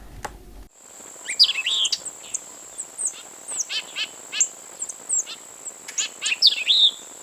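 White-eyed Vireo singing a quick, emphatic jumble of sharp ticks and slurred whistles, phrased like 'quick, get me a beer, chick', over a steady high insect whine.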